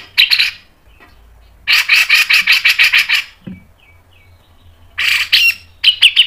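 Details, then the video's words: Grey-cheeked bulbul, called cucak jenggot, in tight, speedy masteran song: a short rattle, then a long series of about eleven loud, rough, evenly spaced notes, soft descending twitters, and two closing bursts of harsh chattering. "MASTERAN CUCAK JENGGOT MBESET NGEPIK NEMBAK PANJANG SPEED RAPAT"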